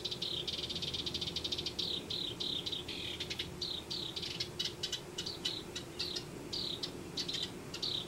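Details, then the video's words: Nesting house wrens in a backyard in Denver: a steady series of short, rasping chatter notes repeated rapidly for several seconds, some notes doubled, with a low constant hum underneath. "House Wrens Nesting"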